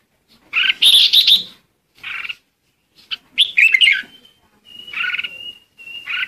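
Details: Decoy red-whiskered bulbul song meant to gather the flock: loud, rich warbled phrases, then thin level whistles and softer chirps toward the end.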